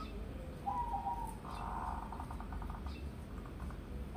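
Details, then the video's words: Local wild-born zebra dove, perkutut lokal, raised from young, sung as a lure recording in the gayer manggung style: smooth low coo notes, then a run of rapid pulsed coos, over steady low background hum. "Pancingan Pekutut Lokal Manggung, Perkutut Lokal Alam, Lokal suara kecil, Lokal suara MP3"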